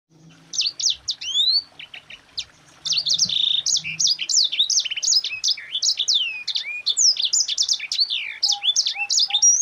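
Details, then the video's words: A yellow-fronted canary, singing a tight rolling song used as a model for training other birds, gives a fast, continuous warble of high, bright chirps and slurred upward whistles, rolling on almost without pause. "Suara Burung Sanger Gacor NGEROL RAPAT"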